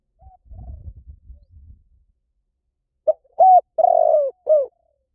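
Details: Low rumbling thuds at the start, then a spotted dove gives one clear phrase: a short coo, a flat hoot, a long burry note and a falling final coo.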